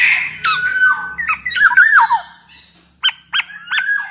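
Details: Black-naped oriole in lively song, used as a lure to set other orioles singing: slurred liquid whistles gliding up and down, then three short sharp notes repeated about every third of a second.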